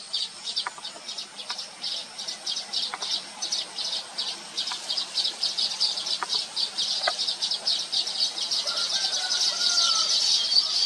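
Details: Several Baya weaver birds, known as Thookkanam Kuruvi, caught on a Nikon P1000 camera: continuous fast high chatter swelling into a dense buzzy wash, a few sharp lower ticks, and a brief falling whistle near the end.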